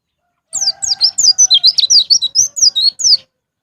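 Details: Lively white-eye song in the 'ngalas ngeplong' manner for prompting caged birds: a string of high slurred chirps, each dropping in pitch, about four a second, with a faint steady lower tone beneath.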